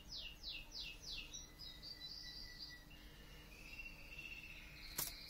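A canary gives quick falling whistles, then longer high, steady notes and a brief trill.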